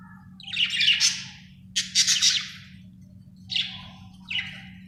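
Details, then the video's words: Happy budgie chirping in short bright buzzy bursts, four loud chirps spaced about a second apart, with faint soft warbles between them and a steady low hum behind. "Happy budgie chirping sound"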